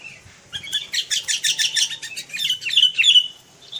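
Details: Sooty-headed bulbul kept since it was small and now tame, singing a rapid, jumbled chatter of high chirps that ends in a few sharper whistled notes, with faint rustling in the background.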